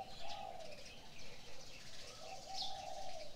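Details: Morning bird chorus led by two drawn-out low cooing notes, with soft high chirps and faint twittering in the background.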